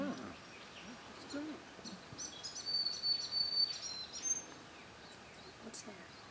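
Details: A Grey fantail (Rhipidura albiscapa), calling from high up during a morning bird survey at Thalaba SCA, Australia, on 12 October 2013, gives high, thin squeaky chips and a fine drawn-out whistle, with quiet human voices and faint chirps from other birds.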